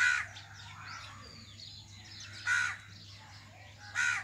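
A common myna gives three loud, harsh, raspy squawks, spaced a second or two apart, over faint high twittering from other birds.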